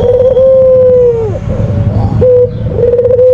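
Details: Low, steady coo of a white Barbary dove used as a lure sound: a long held tone curving down at its end, a short clipped note, then a wavering trill.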